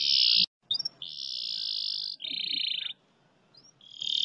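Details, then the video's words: Canary singing a long speed roll: steady, high rattling trills held for long stretches, shifting slightly in pitch, with short gaps between rolls. "masteran kenari roll speed panjang"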